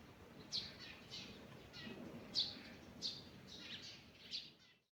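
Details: Forest birds in the morning give high, thin chirps at an uneven pace, about one and a half per second, fading out at the end over a faint, low background murmur.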